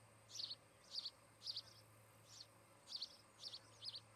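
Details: Osprey pair calling from their nest in Charlo, Montana, recorded by nest cam, August 17, 2018, early afternoon; seven high, squeaky chirps in about four seconds, some doubled, with a short pause midway and low hum behind.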